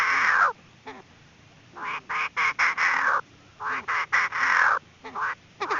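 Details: Hen Chinese francolin lure call for bird trapping. Loud, hoarse, rasping phrases alternate with short staccato clucks, then brief silences, in an uneven stop-start rhythm.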